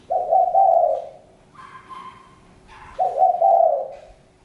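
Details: Spotted dove giving two loud, low cooing phrases about three seconds apart, each a slightly rising, throaty coo lasting about a second; a fainter higher whistled note from another bird sounds between them.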